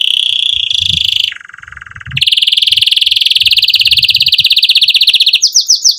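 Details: Canary song used to stimulate young canaries to learn singing and as therapy for canaries that stopped singing: high buzzy rolls, a lower trill, then a long rapid roll ending in quick descending slurred notes.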